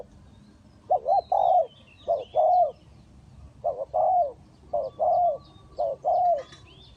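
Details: Spotted dove acting as a decoy in a bird trap, Ninh Thuận: repeated coo phrases, each a clipped note then a fuller falling coo, nearly once a second, with faint high bird calls behind.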